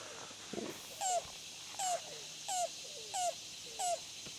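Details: Yellow-billed cuckoo, locally called rain crow, gives five hollow, slightly falling notes evenly spaced about two-thirds of a second apart, over a faint outdoor hiss.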